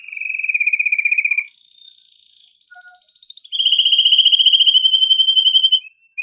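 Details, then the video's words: A male canary sings loudly and excitedly to urge females and males to mate. A low rolling trill is followed by a higher sweeping phrase, then a long, steady, rapid trill of repeated notes that fades near the end. "تغريد هائج قوي لذكر كناري من أجل تحفيز أنثى وذكر الكناري على التزاوج"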